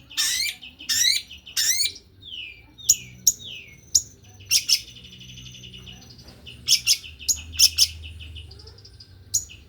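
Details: Male white-rumped shama, fast dense 'pentet speed rapat' singing: loud harsh bursts, a series of short descending whistles, then bright staccato trills broken by sharp loud notes, with quiet gaps between phrases.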